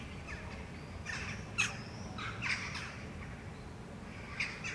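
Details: Eurasian jackdaw foraging on the ground in Helsinki, Finland, in July: a handful of short harsh chack calls spaced irregularly, with a faint whistle and low background rumble.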